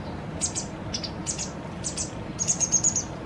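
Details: A White wagtail fledgling being fed by a parent two days before leaving on its own: scattered high, slightly descending chirps, then a quick, even string of piping whistled notes.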